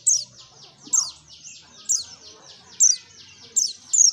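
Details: White-eye (pleci), a forest-style 'ngalas' bird in a 'gacor nembak' lure recording: sharp high descending notes burst out about once a second over a steady buzzy chorus of repeated high chirps.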